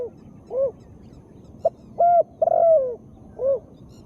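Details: Female spotted dove sound to prompt sluggish birds to sing. An arched coo opens, then a brief note, a level coo, a long stuttered coo that sinks in pitch, and another rounded arched coo; quiet setting.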